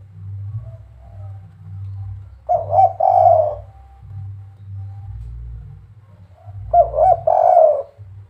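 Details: Spotted dove, kuk 3 type, uttering two separated phrases of mellow, throaty coos that end in a longer drawn note, spaced about four seconds apart against a continuous low hum.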